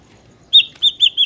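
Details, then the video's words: Ashy drongo song used as a trapping lure: a short burst of four clear, ringing whistled notes after a brief silence. "PANCINGAN SUARA BURUNG SRIGUNTING"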